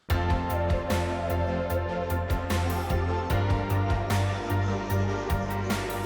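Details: Electronic dance music with a steady pounding beat, deep bass and bright percussive hits, no animal voices.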